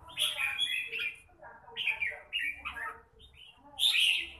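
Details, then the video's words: Red-whiskered bulbul giving separate short, lively warbled phrases, some rising and some falling, with short pauses between them and a loud final burst. "Chào mào bộ đẹp lối chơi mãng nhãn"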